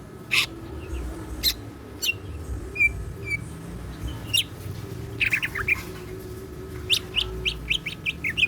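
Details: Captive greater green leafbird in full song with siklon fill: sparse sharp chips and brief whistles spaced a second or so apart, building into a quick string of bright twittering notes at the end, above low hum.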